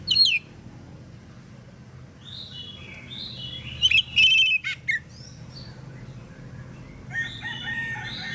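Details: Oriental magpie-robin giving a loud morning song intended to make other magpie-robins answer. One main burst of piercing whistles, a level shrill note and buzzy rasps is heard, with fainter chirps from other birds around it.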